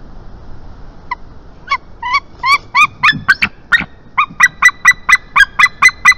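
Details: Adult male White-tailed Eagle in Estonia calling at his nest on the morning of 22 March 2021 as a juvenile lands nearby; clear yelping notes start sparse, then quicken into a steady series of sharp, ringing barks.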